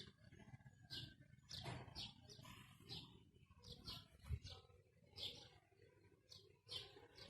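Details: Talking ringneck parakeet with a run of sharp, high chirps and squawks, some rising quickly, repeated in clusters against steady low background noise and faint voices.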